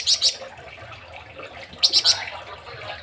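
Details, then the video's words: A flamboyan (Javan flamboyant) in Indonesia gives two quick bursts of high, sharp chirps, a pair and then a triplet, over a steady soft hiss. "BURUNG FLAMBOYAN MASTERAN"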